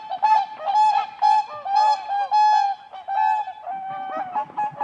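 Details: Whooper swans (Cygnus cygnus) dancing on ice at a lake in spring. Loud, trumpeting honks with rich harmonics come in quick bursts about twice a second. Several birds overlap in a busy, continuous chorus.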